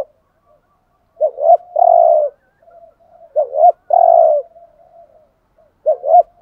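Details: Decoy spotted dove cooing in the thúc gù style: a low double-hooked coo followed by a long, steady, buzzy coo, repeated about every two and a half seconds, with faint soft coos in between.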